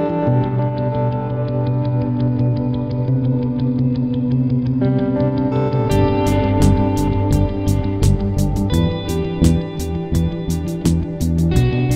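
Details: Only guitar music with echo and a steady bass is heard, with no animal sounds.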